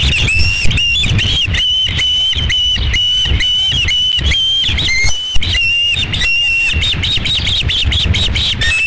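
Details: Osprey at its nest at Dunrovin Ranch on 11 July 2016, during the second fish delivery: a steady run of high, bright whistled notes, piercing and repeated almost without pause, with low rumbling background noise.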